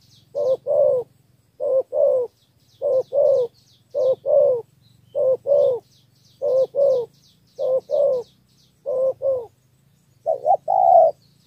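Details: Cooing of a spotted dove from Cà Mau in southern Vietnam, three-note 'thổ' style used to draw in wild doves; nine evenly spaced short-long coo pairs, faint twittering of other birds above.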